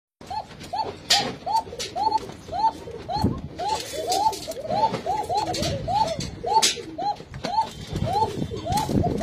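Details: Arabian trumpeter pigeons, a domestic breed also known as khoka pigeon, giving a continuous run of short, mid-pitched, arched coos. Several overlap in quick succession, with clicks and scuffling noises throughout.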